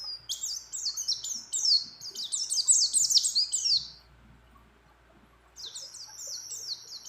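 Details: Female mountain white-eye, in breeding condition, calls a male with a loud fast stream of high sliding twitters for about four seconds, a quiet gap, then a fresh burst of chirps.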